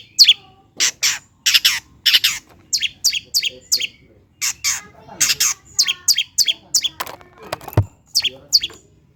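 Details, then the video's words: Long-tailed shrike's provoking lure song for lazy birds: scratchy, chattering bursts of high harsh notes in uneven clusters, with a short low thud late on. "PANCINGAN CENDET MALAS BUNYI AGAR GACOR BONGKAR ISIAN"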